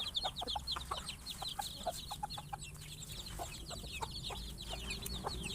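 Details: Many chickens eating on a farm react to a noise with busy, overlapping high peeping chirps and brief clucks, repeated irregularly, against a humming low background.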